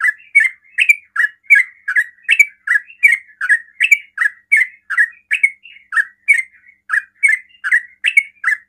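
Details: Sooty-headed bulbul singing a fast 'ropel' style song meant to provoke other bulbuls into answering: short bubbly chirped phrases, rising then dropping, repeated steadily about every half second with clean, quiet background.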